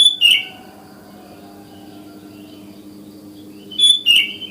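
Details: Sooty-headed bulbul in the wild at morning, calling other bulbuls in: two matching bursts of a clear whistle sliding down into a buzzy note, about four seconds apart, with quiet hum between.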